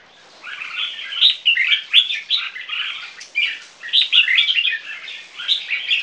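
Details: Caged Viet-Thai crossbreed red-whiskered bulbuls, two young birds three months old, singing against each other: near-continuous rapid chattering warble of bright whistled and scratchy notes, rising and falling in short surges.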